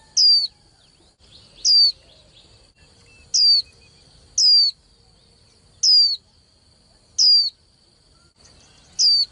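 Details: Young hen white-eye whose voice is used to spur males in singing contests; seven short, high notes, each dropping sharply in pitch, come every second or so against a quiet background with a continuous thin whine.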